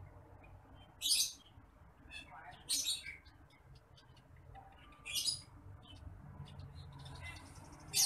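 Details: Training recording of a bush lark for tutoring other birds: sharp, high buzzy chirp bursts spaced a second or two apart, interspersed with softer thin notes over a low background hum.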